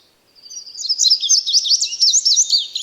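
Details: A songbird delivers a fast, high twittering song of sharp rising and falling notes, swelling in from silence and running on without pause over a quiet background.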